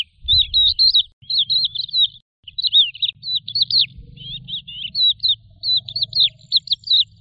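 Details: Lark singing a rapid, continuous stream of high, varied twittering phrases with trills and chirps, barely pausing, over a low steady rumble in the background.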